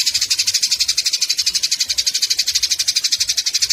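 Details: Eurasian tree sparrows in a fight, a tutor sound for songbirds: continuous shrill chatter of quick, scratchy chirps in rapid regular pulses.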